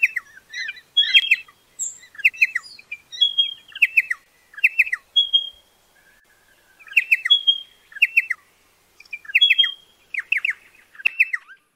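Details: Pardalote calls, a small bird of low ground near water: clear, descending double and triple chirps around a high pitch, repeated in short bursts with brief pauses, plus a few thin whistled notes.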